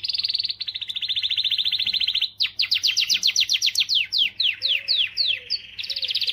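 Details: Canary singing to stimulate females: a sustained high rolling trill, then rapid sharply falling whistled notes repeated several times a second, ending in a renewed trill, with faint soft chirps in the background.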